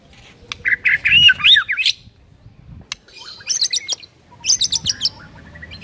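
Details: White-rumped shama master song used to train silent birds to sing, with a rich warbled phrase of rising whistles, then a pause and high, rapid, sharply repeated chipping notes in two bursts.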